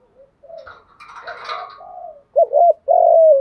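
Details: Spotted dove cooing for luring wild doves. Faint soft coos and a rough, breathy mixed sound come first, then a clear loud doubled wavering coo and a long sustained falling coo.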